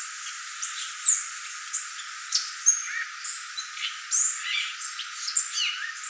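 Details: Violaceous euphonia singing a fast, jumbled string of very high, thin chirps, squeaks and short slurred whistles, delivered almost without pause throughout.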